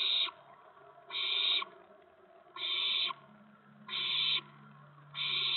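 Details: Owls feeding owlets at a nest around 8 PM on April 19, 2017; harsh hissing bursts repeat at intervals of just over a second, over a soft low steady hum.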